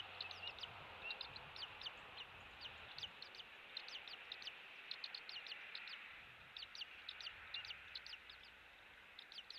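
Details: Captiva, Florida nest camera, morning of 16 January 2023: an eagle gives long bursts of thin, high chipping notes in clustered runs, pausing briefly midway before resuming, with a soft hiss underneath.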